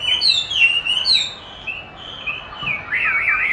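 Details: Chinese hwamei answering playback of its own song during song training; clear whistled notes and downslurs, a brief lull, then fast looping warbled phrases.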